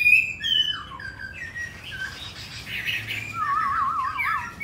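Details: Caged pure Hwamei, Hanoi, Vietnam, with wild-style singing: varied slurred whistles and softer warbles, ending in a long, wavering trilled whistle.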